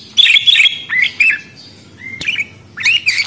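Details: Budgerigar giving scratchy warbled notes, then a clear rising whistle and a final burst of buzzy twittering.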